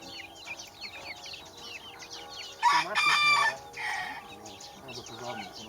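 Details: Baby chickens chirping, high curved peeps in quick succession, interrupted midway by a loud, harsh, buzzy squawk from a larger bird lasting about a second, then more peeping.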